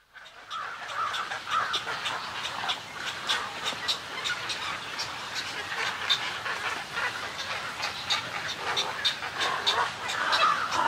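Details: Snowy egret colony, recorded medium close-up to close-up, giving colony and greeting calls: a dense, continuous chorus of harsh, raspy croaks and gargling notes from many birds, overlapping without pause.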